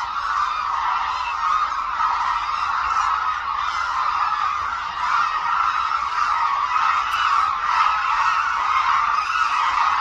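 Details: Large flock of hooded cranes, migratory birds gathering at Suncheon Bay Wetland, their wintering habitat, and performing aerial displays. A dense, continuous chorus of overlapping honking calls forms a steady mid-pitched wall of sound with no pauses.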